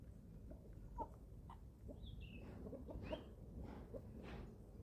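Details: Young chickens, eleven weeks old, feeding on a small German family farm: thin high peeps sliding downward around the middle, soft clicks and pecking taps scattered throughout over a low rumbling background.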